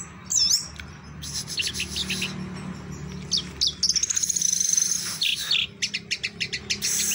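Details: Orange-headed thrush, kept in a cage, singing teler doyong style: a looping whistle opens, then buzzy high trills and a rapid, evenly pulsed series of loud chattering notes.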